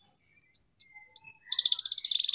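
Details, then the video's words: A canary sings to stir silent canaries into song: a few clear rising whistles lead into a fast, bright, pulsing trill. "CUITAN KENARI 100% GACOR PERANGSANG KENARI BISU AGAR KEMBALI GACOR"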